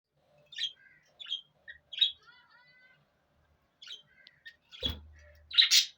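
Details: Pet parrots calling: short raspy chirps and thin whistled notes in scattered bursts, a sharp thud near the end, then a loud harsh squawk.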